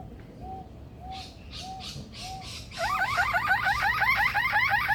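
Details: Male Superb Lyrebird at Adelaide Zoo's rainforest aviary, which imitates car alarms, ringtones and machinery: four arched whistles with soft hissing bursts, then a loud rapid wavering siren-like sweep, repeating up and down like a car alarm.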